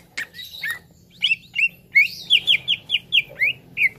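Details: Green leafbird (cucak ijo) in a training recording to get an untrained bird singing quickly. A few scratchy chips, then a rapid, even run of bright downslurred whistles, nearly three per second.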